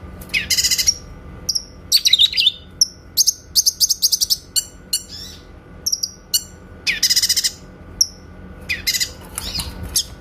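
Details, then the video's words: Grey-cheeked bulbul singing a clear 'tembakan' song, a training recording for white-rumped shamas: buzzy rattles, a sustained high trilled phrase, scattered whistled notes and a final harsh burst. "MASTERAN BURUNG CUCAK KINOY SUARA TEMBAKAN JERNIH"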